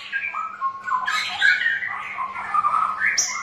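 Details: Straw-headed bulbul song used as a lure to prompt birds that are reluctant to sing: rich, liquid warbling phrases that rise and fall, with bubbly notes flowing almost continuously and a sharp high note at the end.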